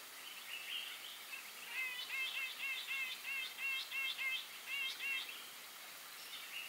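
Grey-eyed bulbul giving a quick run of short, clipped, high notes, roughly three a second for several seconds, over a faint background hiss.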